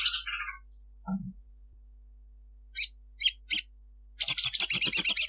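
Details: Female ruby-cheeked sunbird calling a male: a few separate high, clipped notes spaced apart, then the start of a rapid, shrill, evenly repeated chattering trill in the 'ngekek' style.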